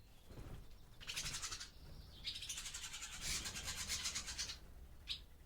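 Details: Barn swallows in an old barn during daytime at the start of the breeding season, back from feeding by the sea or lakes: bursts of rapid, buzzy twittering chatter, long rattling strings with a brief sharp note at the end.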